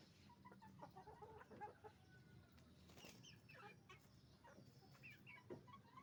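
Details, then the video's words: Chickens on a farm, roosters and hens together: loose, irregular clucks and short squawks from several birds, a burst of wing flapping near the middle, and a steady low hum throughout. "Moment of the sound of a chicken farm, roosters and hens making noise"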